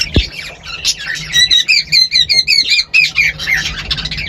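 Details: A male cockatiel (Nymphicus hollandicus) singing in a romantic, courtship mood gives a run of quick, bright whistled and warbling notes.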